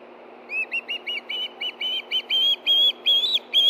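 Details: Osprey food calls at a Hellgate Canyon nest in Montana, evening of 9 September 2013, nest camera, two birds calling as a fish arrives; a quickening run of sharp, high whistled chirps growing louder toward the end.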